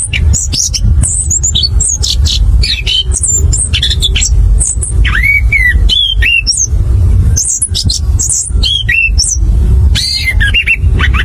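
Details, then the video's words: Long stretch of orange-headed thrush song in clear, rolling ngerol ngeplong style, used as a trigger for birds to sing. Rapid, varied high twitters, falling slurred whistles around six seconds, all over a steady low drone. "PANCINGAN ANIS KEMBANG NGEROL NGEPLONG AGAR CEPAT BUNYI"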